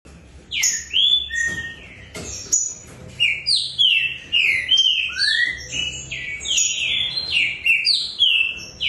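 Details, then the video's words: Two competition Green-winged saltators, readied for the 2024/25 season, sing in full: loud, rich whistled phrases sliding down and up, repeated almost without pause and overlapping as if answering each other. "TRINCA FERRO"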